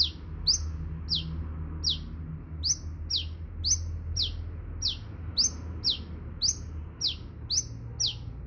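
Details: Sunbird repeating bright, high chirps that rise then fall, roughly two each second and slightly irregular, with a constant low rumble beneath.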